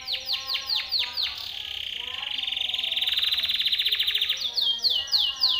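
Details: Timbrado canary singing a training song for other canaries: a run of fast descending slurred notes, then a long rapid buzzy trill, ending with more sweeping downslurred whistles.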